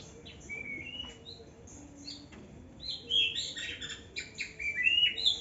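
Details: Young white-rumped shama singing in an aviary: a varied run of thin whistled notes that grows busier and louder, mixing rising slurs with rapid, slightly buzzy high phrases toward the end.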